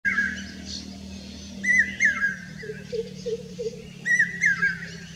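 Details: Common hawk-cuckoo singing in Rajasthan, India: shrill three-note whistled phrases, each note sliding downward, repeated roughly every two seconds over a low steady hum, with soft lower bubbling notes from another bird in between.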